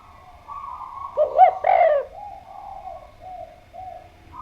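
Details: Spotted dove in lively song, giving one short phrase of deep, throaty coos with a rising-falling shape, followed by a quieter, sustained tonal background.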